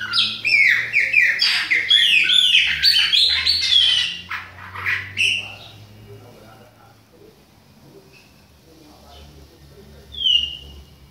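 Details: Young Chopi blackbird from Bahia singing in autumn: a rapid jumble of whistled and chirping notes for about five seconds, then quiet, with a single clear whistle near the end; low hum behind.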